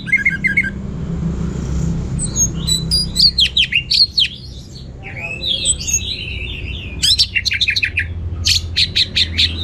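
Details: Orange-headed thrush, locally anis merah, singing in teler style with rich varied material: rapid mixed chirps, sharp high notes and trills in quick runs, over a low background hum.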